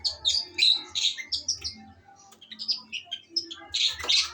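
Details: Song of a female long-tailed shrike, a fast jumble of shrill squeaky notes, chirps and brief rasping bursts delivered almost continuously, with a soft low background hum.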